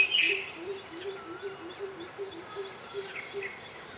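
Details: Coppersmith barbet, Megalaima haemacephala, giving a steady series of low, hollow notes, about four each second, under higher chirps and whistles from other birds, with a person speaking briefly.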